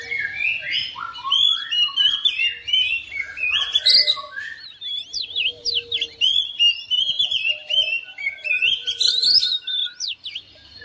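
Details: Oriental magpie-robin at home answering another bird in full song: rapid descending and rising whistles, clipped chirps and trills tumbling for eleven seconds almost without pause, with quieter warbling notes in the background.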